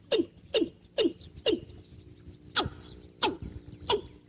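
A Watercock gives seven sharp, steeply falling notes. The first four come about every half second, then three more follow at a slower, uneven pace.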